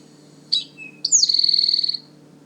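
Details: Male Eastern Towhee (Pipilo erythrophthalmus) singing its three-part 'drink your tea' song at the forest edge by a powerline corridor, Manchester Cedar Swamp Preserve, New Hampshire, first reported late April: a sharp note, a brief lower note, then a fast ringing trill.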